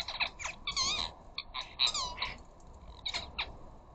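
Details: Ring-necked parakeets chattering at a garden bird feeder where flocks of up to a dozen gather: a dense run of quick wavering, trilled and squeaky notes overlapping, several birds calling at once.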